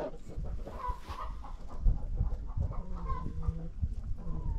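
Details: Farm chickens clucking on alert near a barn as two hawks circle overhead; short, mid-pitched clucks and low drawn notes come in irregular bursts over a steady low rumble of outdoor background noise.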